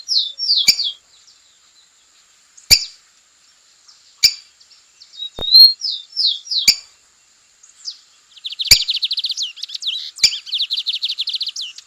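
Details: A lined seedeater singing strongly in the wild: high, quick phrases of slurred whistles, then a rapid buzzy trill, broken by sharp clicks every second or two.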